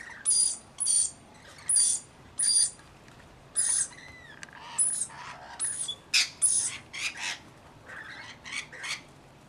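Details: Rainbow Lorikeets in a flock of about 40 attending a single baby: evenly spaced shrill screeches at first, then quicker, choppier squawks from several birds overlapping.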